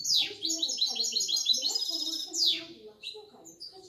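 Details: Six-month-old goldfinch × canary hybrid singing a fast, high twittering song of rapid repeated chirps and bright trills, with short sweeping notes near the start and end, over low murmuring background sounds.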